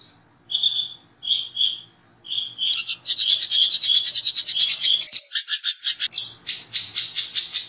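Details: Long-tailed shrike master song rich in imitated birds such as canary and lovebird: spaced whistled notes open, then a fast, varied chattering sequence of high notes and buzzy phrases.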